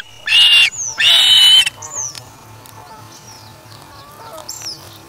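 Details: Osprey chick at the nest, August 3, 2017, after taking a fish from its parent: two loud, harsh whistled cries in the first two seconds, then quiet with faint thin chirps in the background.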